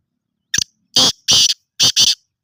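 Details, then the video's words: Black francolin, kala teetar, offered for sale, giving a loud harsh rasping call: a short opening note, two longer grating notes, then a closing pair, all within two seconds in a quiet setting. "Black Francolin ::Kala Teetar"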